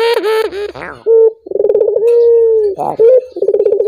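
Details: Collared dove (puter) cooing to encourage other doves to sing: a brief harsh, noisy burst at the start, then rolling pulsed phrases ending in a long, level, low coo, with a second phrase beginning at the end.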